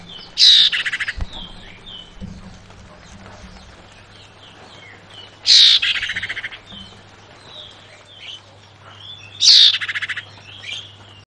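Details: A female Javan white-eye in breeding condition calls to males with three bright, scratchy, high chattering bursts about four seconds apart. Softer twittering notes sound between them over a faint low hum.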